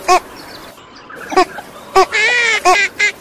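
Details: Female northern shoveler: one loud quack, a pause, then more quacks and a stretched, nasal harmonic call near the end.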